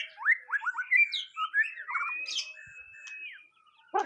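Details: White-rumped shama in its first mental test: a few quick rising whistles, a warble, then a long held whistle that drops away, followed by a sudden harsh note.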